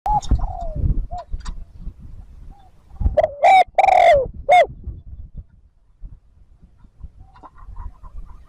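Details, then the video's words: Spotted dove cooing in a lure recording meant to draw wild birds: one loud phrase of a wavering double note and a long hoarse coo, mid-clip, among scattered clucking and shuffling noises. "TIẾNG CHIM CU GÁY THÚC GÙ KÍCH BỔI NHANH NỔI CỰC SUNG, MỒI NGHE LÀ GÁY"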